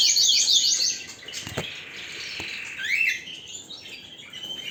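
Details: Canary gives a burst of high rapid zigzag notes, then quieter rustling and a rising swept whistle, with softer twittering afterwards.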